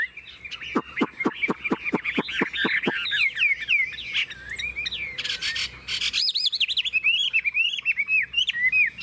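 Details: Caged Chinese hwamei singing loud, clear whistled phrases, first interwoven with a fast run of sharp repeated notes, then looping, bouncing melodic whistles after a short burst of harsh static.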